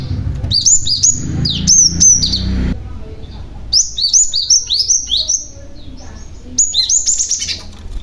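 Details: Cinereous tit, a young bird whose calls lure other tits to respond; lively rapid series of high, down-slurred chirps in three long bursts, rattling at roughly three notes per second, over a low background hum.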